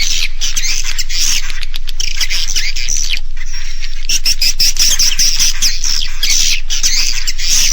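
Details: Edible-nest swiftlet roosting call of the Naga Mas style, used by swiftlet farmers to make young swiftlets stay the night: dense chattering chirps with thin high whistled notes and rapid clicking ticks throughout, loud and unbroken.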